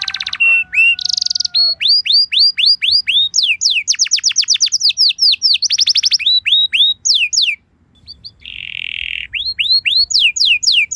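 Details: Canary song used to coax other canaries into singing: long series of rising-then-falling whistled notes about four a second, brief buzzy bursts, a short gap, then a steady buzz and more whistled notes.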